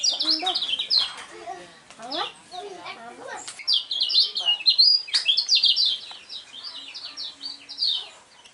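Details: Lemon-bellied white-eye, a contest champion with a unique voice, sings in bursts of rapid, high chirping notes, mixed early on with lower chattering sounds, loudest in the middle stretch.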